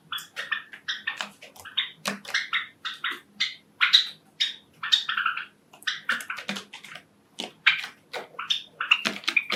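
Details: A male Java sparrow kept as a pet in a home flock sings its courtship song: an almost continuous run of short bell-like chips and clicks, repeated in quick bursts, with faint room noise underneath.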